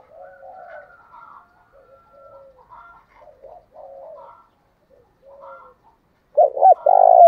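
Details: Spotted dove in thổ-style fight-urging cooing, used on long-lazy wild-caught doves. Mostly soft, broken low coos with a faint higher cooing voice for six seconds, then a sudden loud run of stuttered coo notes at the end.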